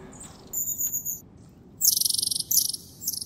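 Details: Long-tailed tit in the wild in January at the Zvenigorod Biological Station, Moscow region, giving very high, thin see-see notes, then three bursts of rapid, buzzy, rattling trills; otherwise quiet.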